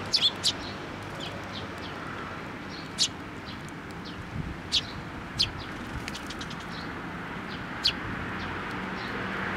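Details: Young sparrows flying in to be fed at a post at a Tenmangu shrine, 25 May 2024; short sharp high chirps scattered through the clip, some in quick pairs, over a steady low rumble of background noise.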